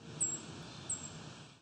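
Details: On July 19, 2019, near Wiarton, Ontario, Canada, a Brown Creeper gives its high-pitched call: two very thin, slightly falling notes about three-quarters of a second apart, over a soft low rumble.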